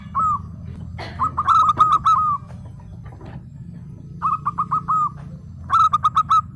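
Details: Local zebra dove singing actively: three bursts of quick, clipped cooing notes, each phrase a fast run of bright, slightly bent coos separated by short pauses, over a low steady background rumble.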